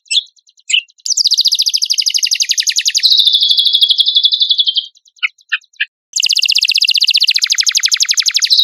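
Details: Song of a champion black-winged myna used as training material: long fast metallic trills with overtones that step downward in pitch, a pause with scattered chips, then another intense high trill.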